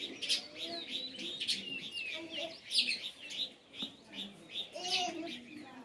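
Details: Sparrows chirping in bursts: loud sharp chirps and rising slurred notes, irregular and overlapping, with softer lower whistles in the background.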